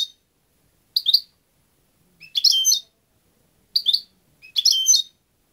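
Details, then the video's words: European goldfinch uttering short bright twittering bursts at irregular intervals, five in about five seconds, each a quick cluster of high tinkling notes, with silence between and no other sounds. "jilguero 4"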